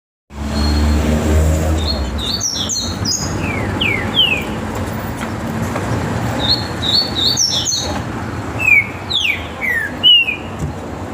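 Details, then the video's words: Captive great saltator in a warm-up session singing short, clear, downslurred whistles in small groups, separated by pauses, over a loud steady engine-like rumble. "trinca ferro"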